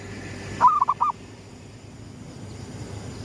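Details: Zebra dove of the gedong mengo type cooing at sunrise for luring: one phrase of four short, rolling mellow notes, the first drawn out, then only faint background hum.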